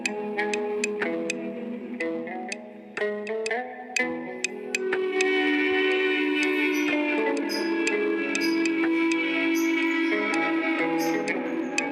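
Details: Plucked-string music with guitar-like notes and sustained tones, with no animal sound heard.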